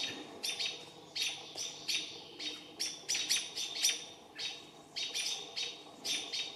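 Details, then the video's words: American robins mobbing a barred owl and trying to drive it off: sharp, high, clipped calls repeated rapidly in bursts of two to four, about two notes per second overall, with faint low background hum. "Barred owl being attacked by robins"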